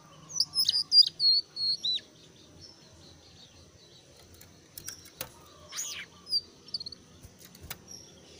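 Brown-cheeked bulbul giving a quick run of high, sharp whistled notes, then quieter scattered notes and faint clicks after a pause.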